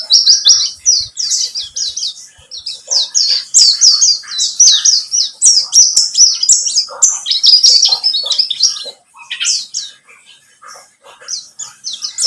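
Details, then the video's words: Buxtomi white-eye in a lure recording: a steady, rapid chatter of high chirps, about four notes a second, loud for most of the stretch before easing into softer, sparser twitters. "Pancingan pleci buxtomi agar bunyi"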